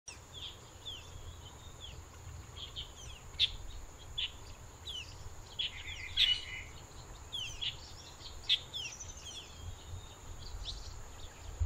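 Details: Black bulbul perched in a leucaena tree, an invasive tree species, giving short high chirps and slurred notes scattered through the clip over steady hiss and a constant high insect-like tone.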